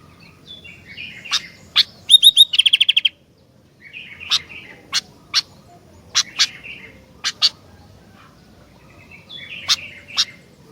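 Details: Sooty-headed bulbul singing actively: short bursts of chattering notes around mid pitch, a fast clicking rattle of repeated pulses, then sharp snapping clicks scattered between further chattery phrases, in a quiet setting.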